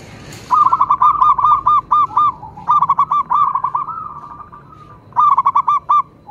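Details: Local zebra dove pouring out rapid stuttering coos in repeated phrases, with a sharp click at the start and a smoother rolling passage midway.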